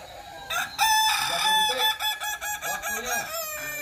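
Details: Kukuak Balenggek cock crowing during a practice crowing contest at Sawah Lunto; loud stepped crow with a clear rising start and broken pulsed middle, applause and crowd sounds nearby.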